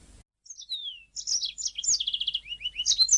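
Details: Canary song used as a master recording for training songbirds: long falling whistles, then bright twittering phrases and a fast rattling trill of repeated notes, with rising slurred whistles at the end.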